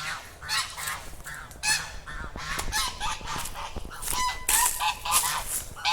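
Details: Domestic geese, kept in a yard alongside chickens and dogs, honk in a loud, nasal chorus of overlapping calls, several each second, with brief pauses and a low background rumble.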